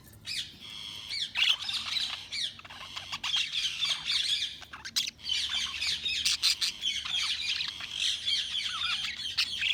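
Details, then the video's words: Several budgerigars chirp together in a steady, busy chatter of high warbles, trills and clicks that barely pauses. "Budgies Sounds| Budgies Chirping sound"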